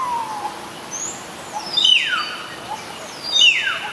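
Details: Common hill myna calling: two loud, sharp whistles, each sliding steeply down from high to lower pitch, about a second and a half apart, with a softer lower whistle near the start.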